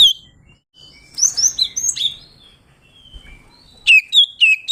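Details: Oriental magpie-robin, singing in 'ngeplong' style to provoke a rival: a soft opening note, a jumble of high warbled whistles, a pause, then three loud falling whistles at the end.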